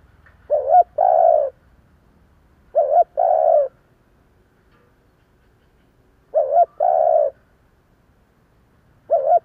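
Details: Decoy spotted dove in 'giọng thổ' voice calling to draw in others: repeated two-part coos, a brief quavering lead note followed by a sustained mellow coo, about four phrases spaced two to three seconds apart.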